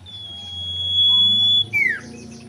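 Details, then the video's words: A common iora, used as a lure call to prompt captive ioras to sing, holds a long, thin, steady whistle for over a second, then drops into a quick downslurred note; faint low room hum underneath. "SIRTU GACOR KAWIN"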